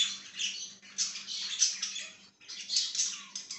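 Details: Budgerigar on 5/10/2023 producing hurried squawky chatter and high squeaks, pausing briefly before another rush of rasping chirps. A low steady hum is present throughout.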